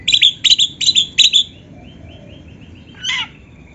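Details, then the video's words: Kacer (Oriental magpie-robin) singing a masteran phrase: four quick buzzy double chirps, then soft trailing high notes and a harsh rasping burst near the end. "SUARA BURUNG KACER MASTERAN"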